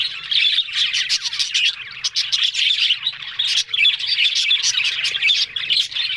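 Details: Chattering budgerigars on October 1 give rapid, overlapping twittery warbles and scratchy clicks, briefly softer around two seconds and then loud and dense again.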